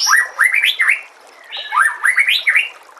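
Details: White-rumped shama singing in two rapid phrases. Each is a string of bright, rising, upswept whistles ending in a high flourish, separated by a short pause.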